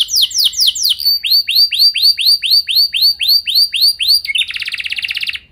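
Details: Caged-style canary lure song used to trigger other canaries into singing: falling slurs, then evenly spaced rounded whistled notes repeated about four times a second, closing with a fast, buzzy rattling trill.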